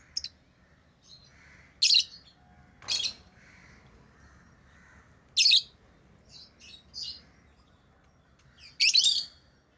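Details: Captive lovebirds with loud, harsh high chirps spaced irregularly, about every three seconds, plus softer faint squeaks between them and one brief click-like sound.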